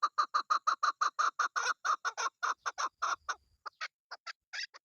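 A chukar gives a fast run of hoarse clucking chuck notes, about five a second, breaking into scattered higher, squeaky notes at the end.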